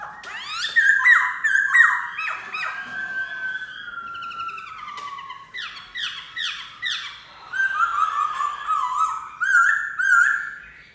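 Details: Black-throated laughingthrush singing a rich, varied song of loud whistled and slurred notes, mostly mid-pitched, with short rising and falling phrases and bursts of sharper notes. Quieter passages come between the louder strophes.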